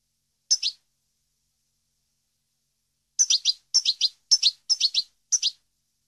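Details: Captive-bird training recording of a European goldfinch: one high double chirp, a pause of over two seconds, then six paired sharp twittering notes in quick, uneven succession.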